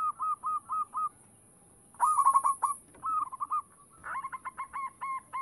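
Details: Actively singing local zebra dove whose song serves to lure other doves: rhythmic series of clipped cooing notes, a louder stuttering burst, then faster repeated coos, with a continuous high-pitched hiss.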